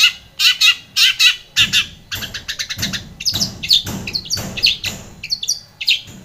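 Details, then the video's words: Long-tailed shrike singing lure song for a silent shrike: paired harsh grating bursts, followed by a jumble of quick varied squeaks and chatters. "KICAU SUARA Cendet gacor pancingan cendet stres macet bunyi JADIKAN CENDET NYAUT"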